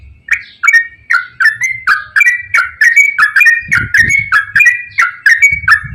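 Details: Continuous, loud 'ropel panjang' song of a straw-headed bulbul, used to stimulate bulbuls that seldom sing: rich, gurgling notes repeated steadily about three per second for the whole stretch, over faint low thumps.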